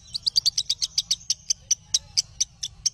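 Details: Lovebird chirping as training audio for other lovebirds: a run of sharp, high, clipped chirps, about five per second at first, then slowing to a steady chirp every quarter second, with low background hum.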